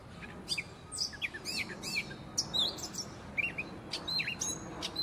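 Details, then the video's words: Gray catbird singing a long jumbled run of varied squeaky, chattering and whistled notes, each short phrase different, delivered rapidly and without pause against a constant hissing background. "GREY CAT BIRD"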